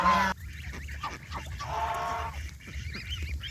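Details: Farm geese, adults and goslings, by a pond while fed fresh grass; one loud nasal honk at the start, then quieter scattered calls and soft background noise.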